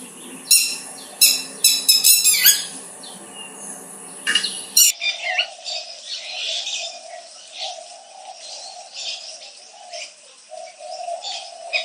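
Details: On a summer afternoon near a waterhole in Bandipur National Park, Karnataka, a Red-wattled Lapwing gives sharp, shrill alarm notes in quick bursts, alerting other animals to the people present, possibly near chicks. Softer chirping from other birds and a low hum follow.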